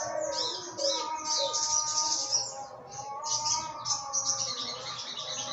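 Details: Morning song of an olive-backed sunbird kept in Jogja as a tutor bird, in 'trotol ngalas' style: dense, high, scratchy chirping bursts in quick runs, over faint lower whistles from other birds.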